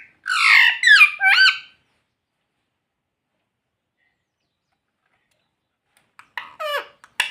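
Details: Pet talking parrot, kept at home, voicing two bursts of loud harmonic, wavering syllables, one early and one near the end, separated by about four seconds of silence.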